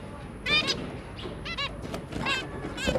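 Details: Zebra finch pair with three young, January 2022: a few soft, nasal beeping calls scattered over a noisy, rumbling background, each call short and rich in overtones.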